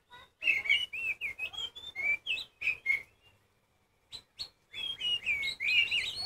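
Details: Oriental magpie-robin, kacer poci form, singing loudly to stir rival birds. Rapid sequence of bright whistled slurs and clipped notes, a silent pause midway, then a rich warbling burst resumes.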